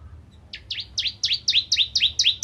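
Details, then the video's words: Bar-winged prinia in full song, recorded as tutor material for training white-rumped shamas: a quick run of high, downward-sweeping chirps, each with a bright upper tip, speeding up and growing louder over about two seconds. "Burung Ciblek Kristal Gacor Untuk Masteran Murai Batu"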